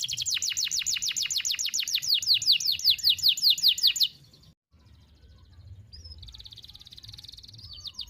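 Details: Canary song for training young canaries: a rapid run of sharp down-slurred notes for four seconds, a pause, then a soft buzzy trill and a short fast rattle.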